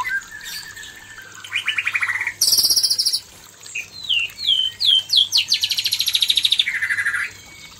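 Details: Singing to a fierce female, a male white-rumped shama mixes fast rattling trills, a burst of very high buzzy notes and a series of slurred descending whistles, ending in another rapid trill.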